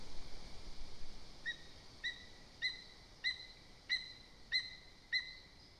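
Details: Lesser spotted eagle at a nest in Zemgale, Latvia; the female, worried that another bird is too near the nest, calls to the male with seven short, high, yelping notes about every half second, over a soft background hiss.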